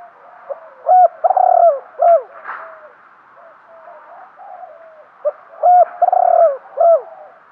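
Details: Decoy spotted dove cooing to lure wild birds, in a lively luring style: two cooing phrases, each with short rising notes, a long loud coo and a clipped falling note, and faint softer cooing between them.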